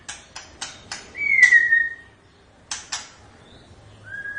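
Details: White-rumped shama giving a series of sharp dry clicks, then one clear slurred whistle falling slightly in pitch, more clicks after a pause and a short final whistle.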